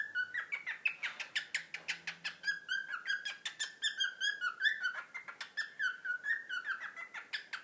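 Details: A pet cockatiel, a male almost two years old, chatters steadily in a rapid run of warbled, whistled notes with short scratchy chirps, the phrases pulsing about three times a second, in a quiet room.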